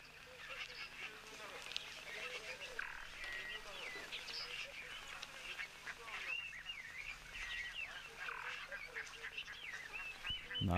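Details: Egyptian geese on 1 February 2023, daytime with cloud cover coming in, give hoarse, honking calls in a busy run, with other birds chirping and a person talking over them.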